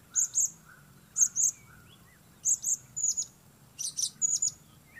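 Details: Repeated paired shrill chirps from a blue-crowned hanging parrot used as a trapping lure, pairs about every second, ending in a faster flurry of high squeaky notes, with faint lower chirps of other birds.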